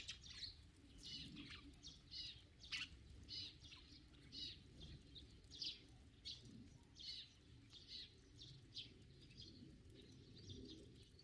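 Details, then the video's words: Sparrow chirping: a steady run of short, bright chirps, roughly two or three per second, with some louder notes over a low background rumble. "참새, Sparrow"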